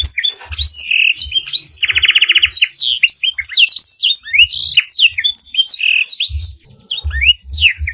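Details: Canary song in a long master recording with black-throated canary fill: busy chirps and whistles broken by a buzzy rattling trill, then more rapid sweeping notes over occasional low thumps.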